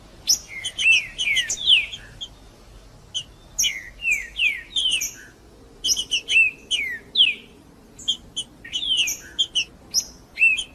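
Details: Trinca-ferro, the rufous-bellied thrush, in 'macheando' song used to get another bird singing; rich descending whistles mixed with rapid high clicks and chips in bursts, with brief pauses between phrases.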